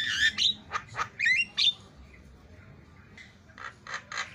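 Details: Javan myna on a training recording for other mynas: several loud, harsh squawks with squeaky whistled endings, a quiet gap, then softer repeated rasping notes.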